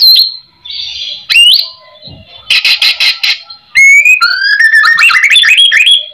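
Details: Lure recording of a white-rumped shama in rich, varied full song to draw replies from other shamas: clear whistles and slurs, a harsh rasping stretch, then rapid rising whistled notes climbing in pitch.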